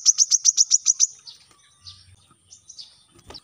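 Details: Brown-throated sunbird, kept as a cage bird, in a fast master recording for training birds to sing: a burst of seven sharp, high chipping notes in quick rhythm, then fainter scattered high chirps.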